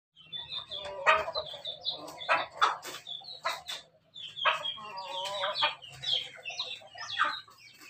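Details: Crossbred Pelung-Bangkok chickens in a Yogyakarta breeding yard crow and cluck in short, hoarse bursts with one wavering drawn-out note midway, several birds calling over each other.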